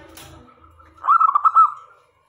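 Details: Local zebra dove singing actively, used as a decoy to draw male and female doves close: one quick burst of rolling, bubbling coos around a steady mid pitch, after faint low rumbling background noise.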